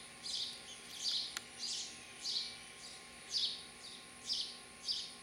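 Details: House sparrow parents with nestlings at a birdhouse in Lenexa, Kansas, on 27 July 2012, give short, bright chirps, about seven in five seconds at an uneven pace, over a faint steady hum.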